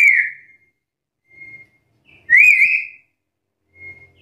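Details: Black-capped lory calling to challenge rivals: a loud descending whistle, then a faint short tone, a louder rising-and-wavering whistle with rich overtones, and another faint short tone; light knocking in the background.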